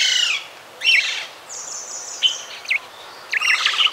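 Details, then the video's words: A Minute Hermit (Phaethornis idaliae), a tiny forest hummingbird, gives high, thin squeaky chips and a brief level whistle in a few scattered bursts over four seconds, against a quiet background. "Minute Hermit"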